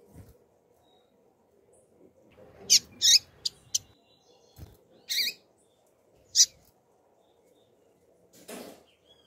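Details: A female double-collared seedeater calls with short, sharp high chips, a quick cluster of four, then single notes spaced a second or two apart, over a faint low hum.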